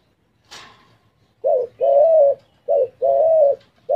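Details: A spotted dove, described as nodding, calling and "talking", gives low, soft coos in short-long pairs, a brief note then a longer drawn-out one. A single sharp tap comes just before.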